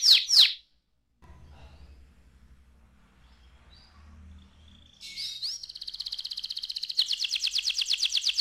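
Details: Young canary: two short high whistles, a quiet stretch with faint low hum, then a rising whistled phrase leading into a steady, fast, buzzy trill that strengthens toward the end.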